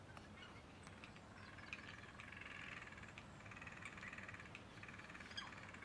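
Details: A Eurasian jay (Garrulus glandarius) in Tivoli Landscape Park, Ljubljana, in February gives harsh, rasping screeches in two drawn-out bursts over a steady low rumble of distant traffic.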